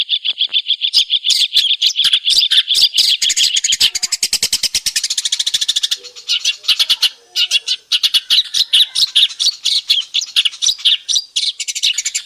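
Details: Long-tailed shrike singing in its natural habitat: long fast rattling trills of buzzy pulses, alternating with scratchy chattering notes and brief pauses.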